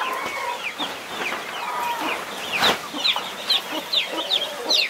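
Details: Twenty-one chicks kept close by a protective mother hen: a busy mix of high, falling peeps, growing louder and more regular toward the end, over faint clucking and background rustle.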